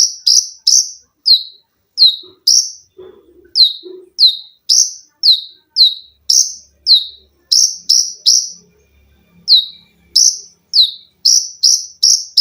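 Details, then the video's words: Lively konin, an olive-backed sunbird, recorded as training song for cage birds with dense 'tembakan' shots, sewing-machine, 'lengkingan' and 'besetan' styles. Piercing high notes, each slurring downward, come in quick runs and pairs with brief gaps. Faint low sounds appear midway. "KONIN GACOR FULL TEMBAKAN RAPAT!!!MESIN JAHIT,LENGKINGAN DAN BESETAN."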